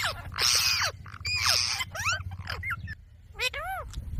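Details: Talking green parrot saying "Mummy": loud raspy, speech-like syllables with sliding tones, a short pause, then two clear arching notes, with a steady background hum.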